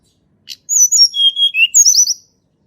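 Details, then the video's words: Natural song of a Sunda robin, meant to stir birds that seldom sing. A single tick precedes a falling series of piercing high notes, then two long level whistles, and a rippling high trill at the close. "TLEDEKAN GUNUNG SUARA ASLI ALAM"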